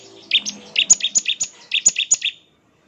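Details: Bar-winged prinia, or ciblek, singing energetically in ngebren style: two runs of sharp, high, evenly spaced chirps, about six then four notes, ending in silence.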